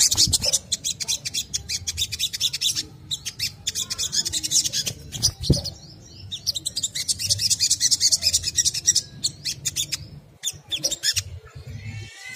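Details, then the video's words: Crimson sunbird chattering rapidly, a song used to stimulate other sunbirds to sing: long runs of high, thin, fast twitters, a sharp click midway, and the song thinning near the end over steady low background noise. "SOGON ngriwik kemrecek untuk pancingan bunyi burung SOGON lainnya"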